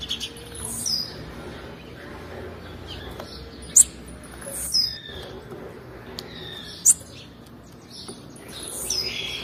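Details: Female blue-black grassquit calling, a sound used to excite males: short, sharp, high-pitched chirps repeated every one to three seconds, each isolated against a low steady background hiss.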